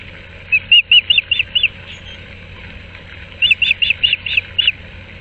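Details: Osprey at a nest at Moorings Park on 6 March 2024 during a changeover as one bird brings a fish to its mate: two runs of about six clear, whistled chirps, each in quick succession, separated by a pause.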